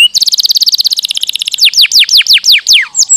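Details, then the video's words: Lure song of a canary for encouraging reluctant birds to sing: a rapid, even trill of short pulses for over a second, then a series of loud descending whistled slurs. "Sekali putar kenari yang malas bunyi langsung nyaut"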